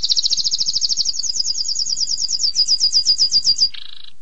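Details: A canary's extended song for mastering: a quick, steady high trill whose notes slowly spread into distinct rhythmic slurs, closing with a short, lower buzzy note.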